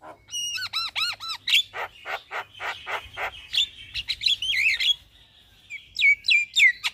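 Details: Javan myna singing in the morning as a master recording for caged birds: four arching whistled notes in quick succession, a run of harsh repeated clicks, then twisting whistles and rising slurred notes.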